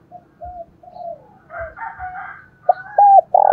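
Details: Decoy spotted dove calling to draw in wild doves, thổ đồng voice style; faint low coos open, a harsher rooster-like crowing overlaps midway, then loud arched coos finish the phrase.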